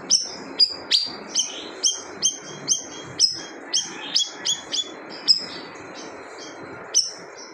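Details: Siri-siri bird in loud, bold song said to silence other birds: sharp high whistled notes with steep downward sweeps, repeated roughly every half second in an irregular series, over a faint steady background hiss.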